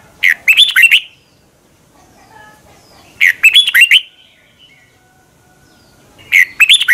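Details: Red-whiskered bulbul practising its morning song: three loud, bright whistled phrases of several rolling notes each, spaced about three seconds apart, with soft quiet gaps between.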